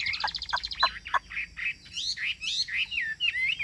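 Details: Song of a Chinese hwamei kept as a cage bird: fast chirped notes give way to looping, whistled slurs that rise and fall.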